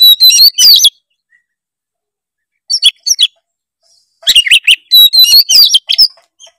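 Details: Oriental magpie-robin delivering 'gacor full isian' song meant to spur lazy birds to sing: a quick burst of bright whistled and scratchy notes, a long silent gap, then two denser chattering phrases.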